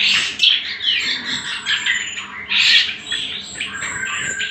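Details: Bait and master song of the greater green leafbird, meant for training other birds, heard as a loud, busy stream of squeaky whistles and rasping chatter, swelling twice into bright bursts over a low electrical hum.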